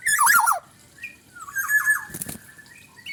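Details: A short black-naped oriole phrase: a loud fluty whistle with a squawky edge, then softer gliding whistles and a burst of flapping noise.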